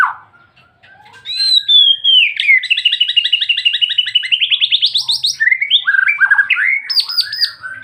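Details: Long-running song of a white-rumped shama: a descending whistle, then a fast series of ringing notes rising in pitch, followed by varied jumping whistled phrases and brisk high downslurs.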